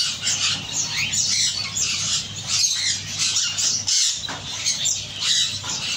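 A macaw gives harsh, grating squawks and raspy chatter in a near-continuous stream, with no clear words and no other sounds.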